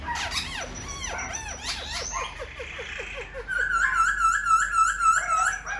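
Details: A tame caged silver-eared laughingthrush, fanning its wings and tail in display, sings loud arched whistles, then a fast run of about a dozen short repeated notes, ending in a bright sustained warbling trill.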